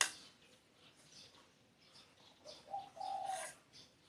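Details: Spotted dove giving a soft coo late on, a brief low note then a longer level hollow tone, quiet and somewhat distant amid faint background hiss and light high-pitched chirps.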